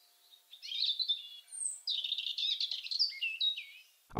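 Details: European robin singing in deep winter to defend its territory, a song more hesitant and quieter than in spring: a high thin note, then a run of fine warbling notes tumbling downward, ending in a low thump.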